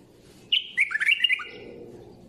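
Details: One lively bulbul phrase: a sharp opening note, then fast, bubbling chirps dipping lower and rising again for under a second, before settling into soft background murmur.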